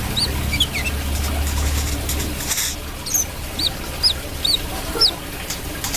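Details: Actively calling brown-throated sunbird: bright, sharp, high chirps with quick upward and downward flicks, a few at first, then a regular series, with a low rumble early on.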